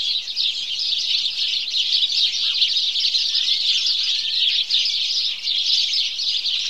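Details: House sparrows chirping together at dawn chorus time, a constant busy mass of shrill, short notes from many birds, even in level with only small momentary dips.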